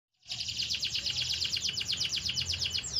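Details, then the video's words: A canary sings a powerful, fast, rolling trill of bright, high notes repeated several times a second, with a low background hum. "قوة تغريد طائر الكناري"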